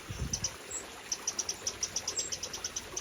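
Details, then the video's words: Eurasian wren parents gathering their fledgling babies, UK, spring 2023: an evenly spaced series of bright, high ticks, roughly six or seven per second, following a brief low thud at the start. "Wren Birds UK Spring23 Parents trying to organise fledglings Babies."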